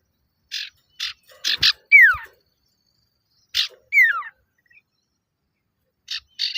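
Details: Luring rival males, a male common iora repeats a phrase of several evenly spaced rasping buzzes ending in a clear falling whistle, twice in about four seconds, then begins again with more buzzy notes.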